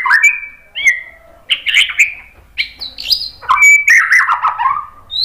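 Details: White-rumped shama song played to make other birds answer: varied whistles, a sharp high note, and a tumbling descending phrase of rich fluty notes.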